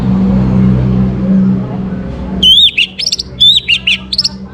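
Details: Morning Orange-headed thrush song meant to bring birds into breeding condition: a steady low hum fades, then sweeping, looping whistled notes follow in quick pairs.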